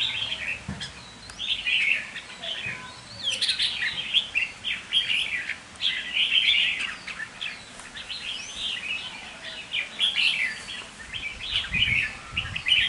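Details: Caged red-whiskered bulbul kept as a decoy bird: lively, rapid chattering warbles in bursts every couple of seconds, bright and scratchy, with faint knocks in the background.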